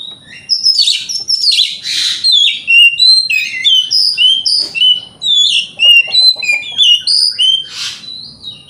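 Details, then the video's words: Continuous, rich white-rumped shama song meant to provoke rival shamas, a rapid run of clear whistles jumping between pitches, mixed with rasping bursts, scarcely pausing across the phrase. "30 Menit Dengarkan Pancingan Kacer Ini - Kacer Jenis Apapun Gak Kuat Nahan Emosinya"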